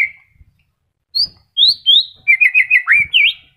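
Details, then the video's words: Moulting white-rumped shama, newly regrowing its feathers but still in full voice, recorded as a lure to restart silent shamas; clear high whistles slide upward, then a fast run of looping, warbled notes. "MURAI MABUNG TETEP GACOR"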